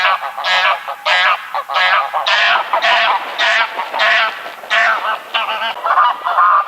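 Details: Greylag goose giving a rapid series of harsh, loud honks, about one or two a second, each broad and nasal, the run ending in a slightly higher note.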